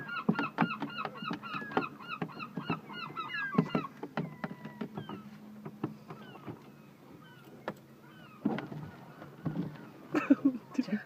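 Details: Gulls in Hastings: a rapid run of harsh, nasal, repeated squawks opens, followed by scattered single calls and a few sharp knocks and clatters in the background.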